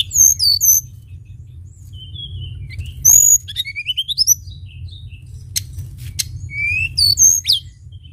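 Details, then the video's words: Sunda bush warbler pouring out song on a lure track: high looping whistles, a rising ladder of slurred notes, brief clicking bursts, then more rising whistles over faint low hum. "pancingan tledekan gunung gacor"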